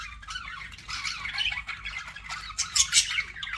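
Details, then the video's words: Softer budgie warbling, a low-key mix of squeaky, wavering notes, ending with a few louder sharp chirps. "BUDGIE SOUNDS"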